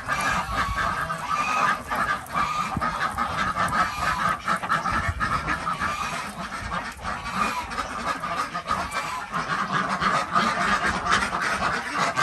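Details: Village farm flock of Desi ducks in Andhra Pradesh calling while eggs are gathered in the morning; steady chorus of many overlapping harsh quacks with no pauses.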